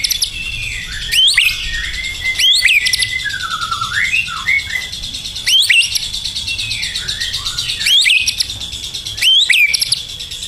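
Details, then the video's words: Loud gacor burung batu song: repeated steep upslurred squeaks roughly every second or two over a steady high buzzing backdrop, interspersed with lower wavering whistled phrases. "KICAUAN BURUNG BATU GACOR"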